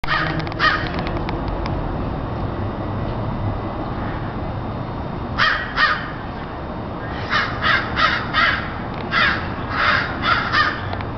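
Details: Several crows gathered noisily in a tree give harsh, hoarse caws, quiet at first, then bursts of repeated caws in quick runs during the second half, over steady low background rumble.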